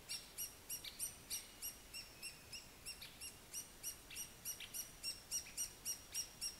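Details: A three-toed woodpecker in Jyväskylä gives a steady series of short, sharp, high notes, about three each second, over a faint background hiss.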